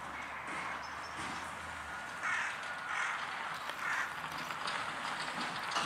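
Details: European green woodpecker in Tivoli landscape park, Ljubljana, on 16 January 2024, giving four or five harsh, scratchy single notes about a second apart over a steady background hiss.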